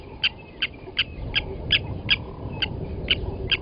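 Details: Blacksmith lapwings at Gowrie dam waterhole, Djuma Game Reserve, Sabi Sand Wildtuin, South Africa, where one adult grabbed a chick from the nest and killed it; sharp metallic clinks, about nine in under four seconds, over a low rumbling background.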